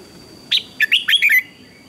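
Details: Morning contest song of a red-whiskered bulbul: one quick phrase of five bright whistled notes, the last ones slurring downward, over a faint steady background hum.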